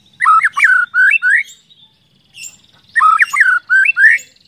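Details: White-rumped shama lure song intended to set other shamas singing: two groups of quick, bright whistled notes with up-slurs, each lasting about a second, split by a short gap holding faint high chirps.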